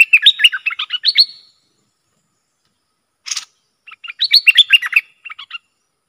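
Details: Bulbul stirred up against competing wild birds. A quick burst of bubbly, chattering whistled notes comes first, then a lone rasp after a pause, then another rapid chirpy phrase and a few soft notes.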